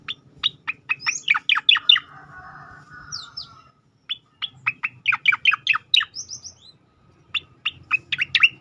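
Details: Training recording of a striated grassbird in 'tembakan' style: repeated volleys of crisp, rapid downslurred chips, each lasting one to two seconds, broken by short gaps and a few higher thin whistles.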